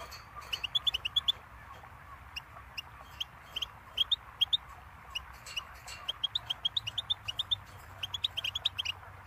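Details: Goldfinch song: long, steady series of high, tinkling chirps in loose clusters, some notes quickly doubled, over a constant low hiss.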